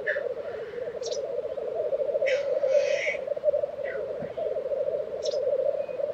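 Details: Black grouse at a lek in Tiveden, Sweden, in April 2023: a continuous low bubbling, rolling coo runs through the whole stretch, broken by harsh hissing wheezes near the start, the middle and the end.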